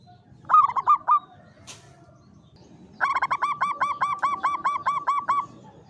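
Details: Caged local zebra dove (perkutut jawa) in a classic Mataraman cage sings klowongan style: a burst of four coos, a short flutter-like noise, then a long run of about twelve evenly repeated, ringing cooing notes.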